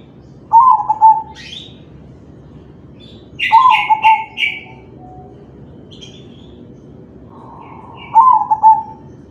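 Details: Singing crossbred zebra dove of the kalung tempuk variety, played to stir other doves to call: three low cooing phrases about three to four seconds apart, the middle one led by three rapid higher rasping notes. Faint distant chirps between phrases.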